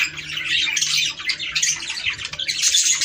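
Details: Warbling chatter from budgerigars, offered as a sound to encourage mating: a steady stream of scratchy, high twitters and short squawks running without pause.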